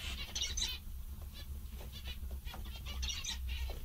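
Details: Zebra finches, described as happy, giving short nasal harmonic calls in two bursts near the start and end, with quieter calls between over a steady low hum.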